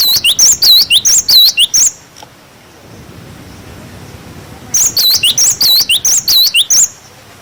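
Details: Two loud bursts of a cinereous tit's clear 'wucit wucit' song, a tutor recording for young birds, each about two seconds of fast, swooping high whistles, separated by three seconds of quiet.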